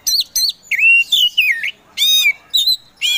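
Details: Oriental magpie-robin (kacer poci) singing loud, clear whistles: short upslurred notes, a long wavering whistled phrase, then sharper downslurred notes.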